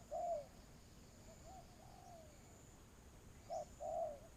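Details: Spotted dove used for trapping in Vietnam, a loud coo followed by fainter, distant answering coos, then a short and a long coo close again, over steady hiss.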